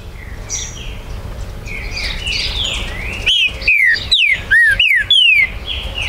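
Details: Green-winged saltator, a territorial bird kept by a registered amateur breeder in Brazil, recorded 19 September 2020 to stir other birds to sing: loud clear whistled descending notes in a short phrase after quieter background bird calls.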